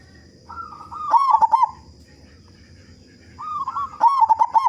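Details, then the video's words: Local zebra dove in full song with a big voice, used as a lure so other doves sing sooner. Two phrases, each a rising cooing lead-in followed by loud, quick, rolling gurgled notes. A constant high-pitched whine sounds in the background. "Perkutut Lokal Gacor Suara Besar Pancingan Burung Perkutut Agar Cepat Bunyi"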